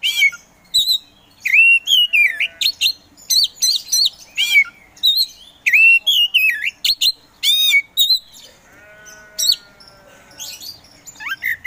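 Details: Caged kacer poci, a singing Oriental magpie-robin, delivers a long varied song of warbled whistles, buzzy notes and downward-sweeping slurs, given in dense bursts with brief gaps between them.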